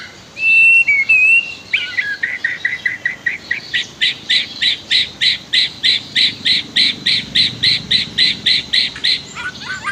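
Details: White-rumped shama master song set against river sounds for training other birds: a few whistled notes lead into a fast, even series of about twenty-five sharp repeated chips, roughly three per second.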